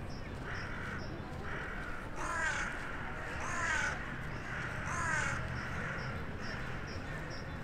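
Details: Town-centre crow in the evening in January, calling to others flying in for the night: three loud harsh caws about every 1.4 seconds, fainter distant caws between, with steady low traffic rumble beneath.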